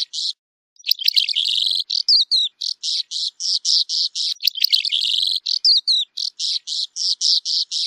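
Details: Song of a Calandra lark, an unbroken stream of scratchy, high chirps in quick succession after a short opening pause, mixed with jumbled warbling and thin descending whistles, clean background.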